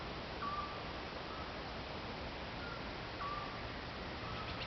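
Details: Eurasian scops owl in Croatia giving two short, pure whistled notes, about three seconds apart, over a steady hiss of background noise.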